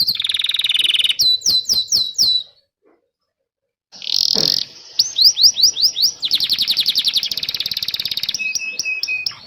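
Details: Canary song used as a master for young birds and those that stopped singing: buzzy roll, a row of quick falling slurs, a pause of silence, then a burst, rising sweeps and a long rapid trill ending in a thin whistle.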